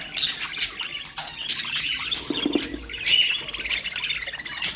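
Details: Budgerigar warbling meant to stimulate other birds: busy overlapping chirps, squeaks and harsh notes with short whistled slides, loud throughout with small dips in intensity.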